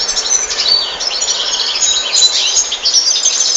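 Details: European goldfinch song: a loud, unbroken stream of fast, high twittering with tinkling and buzzy trilled notes running without pause, over faint low background rumble.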